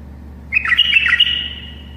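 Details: Tame bulbul singing to help other bulbuls learn: one short, rich phrase of bubbly warbled notes that ends in a fading whistled tail, with a low hum behind.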